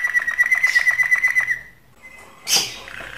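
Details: Canary mating song: an even, fast series of repeated clipped notes for about one and a half seconds, a faint thin whistle, then a short burst of harsh high noise.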